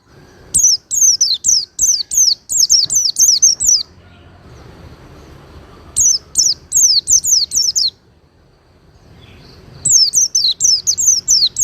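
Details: Oriental white-eye song for teaching cage birds, smooth and powerful in tone. Long quick run of high, descending whistled notes opens, then shorter bursts follow after silent gaps, with a low hum underneath.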